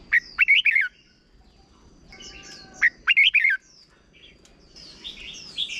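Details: Short doubled song of a caged red-whiskered bulbul from Thailand, used for training young birds. Two punchy phrases of quick, warbled whistles come about 2.5 seconds apart. Faint high chattering of other birds fills the end.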